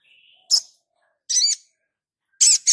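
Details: Actively singing Sogon, in a tutor recording for teaching caged birds: a soft thin whistle, then bursts of piercing high chips and a squeaky, warbled note, each separated by silence.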